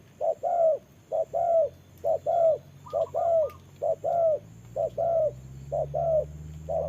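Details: In the rain, a decoy spotted dove used for trapping confronts a wild bird, uttering regular rounded coos in short-long pairs, with a fainter second voice briefly overlapping and a low hum beneath.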